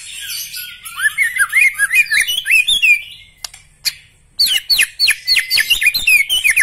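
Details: Black-legged white-rumped shama delivering a rich, varied song of slurred whistles and rising and falling notes. It pauses briefly with a few clicks, then resumes with a rapid string of bright, high phrases.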